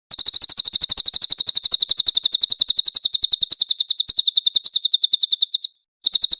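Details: Velvet-fronted nuthatch (cililin) in a clear training master for songbirds such as the magpie robin: a long, fast string of shrill chips for nearly six seconds, a short pause, then the chipping resumes.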